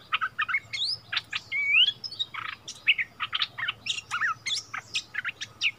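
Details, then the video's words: Bulbul, a decoy bird at its old haunt, answering a new resident territory holder in a song duel, 3 February 2021. Lively, fast chattering notes broken by rising slurred whistles, steady low hum behind. "เสียงนกดอกแตงEp.30 คืนถิ่นเก่า!!ดวลเพลงเบิ้ลกับเจ้าถิ่น"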